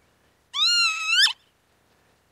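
A Northern lapwing gives one drawn-out, wheezy, almost cat-like note that rises slightly and twists downward at the end; another call starts just as it ends.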